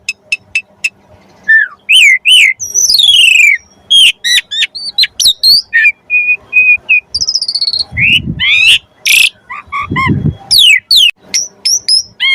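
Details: Javan pied starling (jalak suren) song used as training material for magpie-robins: loud, varied run of whistles, sharp upslurred and downslurred notes, rapid chips and a brief steady trill, with some low thumps.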